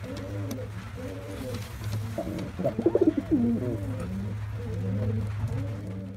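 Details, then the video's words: White pigeon male display: soft background coos with one louder pulsed rolling coo in the middle, over a strong steady low-pitched hum. "Pigeon Sound Effect || Male Pigeon Super Performance || White Pigeon"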